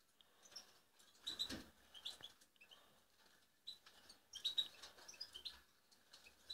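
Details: Five-month-old European goldfinch being trained in the London alhasoune style gives sparse, high, thin chirps and short twittery notes in scattered bursts, with rustling and faint flapping-like noise between them.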